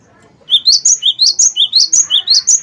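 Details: Gelatik batu, used as a lure to get other birds singing: a fast series of bright, high, sharply rising chirps repeated about every fifth of a second in a steady rolling run, with faint low room noise underneath.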